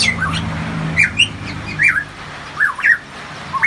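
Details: Variable pitohui, a bird endemic to Papua kept under daily care, known for a loud voice: slurred whistled notes, each dipping then rising, given about once a second between quieter gaps.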